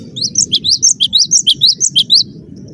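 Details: Cinereous tit, dense 'rapat' song style, giving an unbroken run of about a dozen quick, bright, rising chirps, evenly spaced and very high-pitched, with faint low hum behind.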